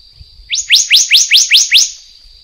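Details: A black-naped monarch of the endemic Taiwan subspecies utters seven loud, upward-sweeping whistled notes in quick succession, with a steady high-pitched background tone.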